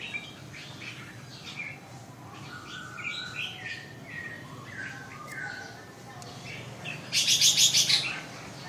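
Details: Red-whiskered bulbul song of lilting whistled notes at moderate pitch, many short phrases over steady low background noise, ending in a loud burst of high chattering notes.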